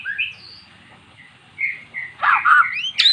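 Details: Magpie-robin that had never sung, coaxed by recorded song; soft thin whistles at first, building to loud rich warbles and a sharp rising note at the end.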